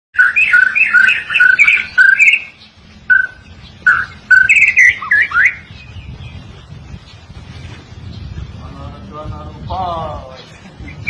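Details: White-rumped shama singing on a tutoring recording for songbirds: rapid bursts of fluty, varied whistles for around five seconds, followed by a quieter section with a low rumble and a short rasping, buzzy trill.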